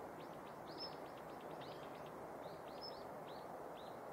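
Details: Female Daurian redstart calling in the morning at Yanagishima Beach, Japan, 19 November 2021: rapid series of short arched chip notes and a couple of thin high whistles, several per second, amid continuous low background noise.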